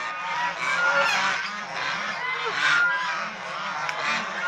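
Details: Domestic Chinese swan geese shown playing, bathing and fighting; rolling bouts of nasal honks swell and ease again, several birds calling together.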